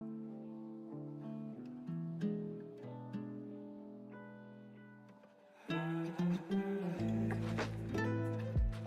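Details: Guitar music with plucked and strummed acoustic notes, soft at first and then louder and fuller strumming in the final seconds; no animal sounds.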